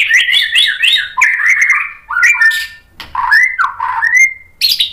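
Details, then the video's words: Rapid, varied White-rumped shama song used as a lure: tumbling whistled notes alternating with high and low pitches, scratchy buzzes, and a final rising clear whistle. "SUARA MURAI BATU biar EMOSI NYAUT jadi GACOR BONGKAR MATERI ISIAN | PANCINGAN MURAI"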